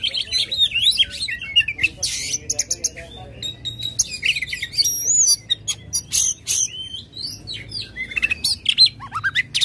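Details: Tail-spreading, aggressive Oriental magpie-robin in energetic song meant to prompt a silent bird: warbled phrases, noisy rasps, rapid clicks and a pure high whistle, then a rising slur near the end.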